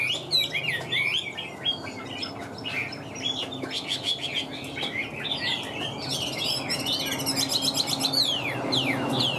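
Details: Caged Chinese hwamei, a big handsome bird, singing high: a rapid stream of varied whistled and slurred notes with no steady rhythm, extra chirps mixed in and a low hum underneath.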